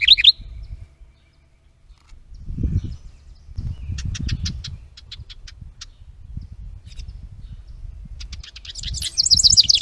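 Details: House wren recorded by a trail camera at a bluebird nest box, 10 May 2023; a brief high warble opens, dry clicking ticks follow over low rumbling noise, then another quick bubbling trilled burst at the end.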